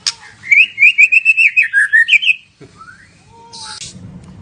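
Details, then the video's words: Murai batu or white-rumped shama in gacor song: a fast trill of about a dozen rich, warbled notes, slightly falling at the end, followed by a rising whistle, a low drawn note and a rasping burst. "Murai Batu Gacor"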